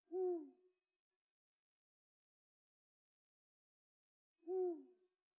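Eurasian eagle-owl giving two deep, slightly falling hoots about four seconds apart, with silence between them.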